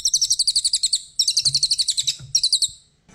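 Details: Brown cililin kept as a master bird for teaching songbirds, delivering quick, shrill, evenly spaced notes in three short chattering bursts.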